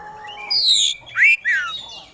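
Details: Oriental magpie-robin in vigorous song unloading fill-in phrases: a high bright whistled note, then two loud upward-swooping whistles in quick succession.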